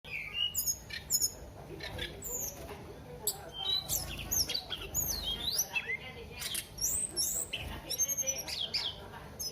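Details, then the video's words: Flowerpecker singing actively: a busy run of sharp, high chirps, thin whistled slurs and short buzzy notes, rising and falling, packed closely over the whole stretch, with a low steady hum underneath. "Burung Tledekan Gacor"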